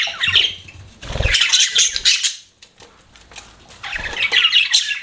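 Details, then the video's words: Pet budgerigars chirping in bursts of dense, scratchy warbling centred high, separated by short quiet gaps, with low thumps and rustling beneath the first bursts. "BUDGIES CHIRPING SOUND"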